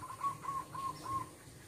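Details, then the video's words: Wild zebra dove in a house yard giving soft, clear cooing notes, four short level hoots about a quarter-second apart, over a faint low rumble. "Kicauan Merdu Burung Perkutut Liar"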